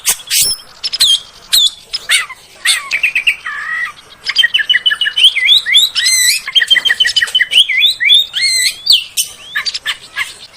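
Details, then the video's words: Oriental magpie-robin lure song, played to make kept magpie-robins sing quickly and boost their spirit: a rich, fast medley of varied whistles, sharp upslurred and downslurred notes and trilled phrases, dense and nearly continuous, about two notes a second. "SUARA PANCINGAN BURUNG KACER AGAR CEPAT BUNYI DAN GACOR"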